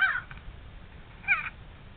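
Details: Fighting crows giving two harsh, hoarse caws about a second apart, each short and grating, over faint low background noise.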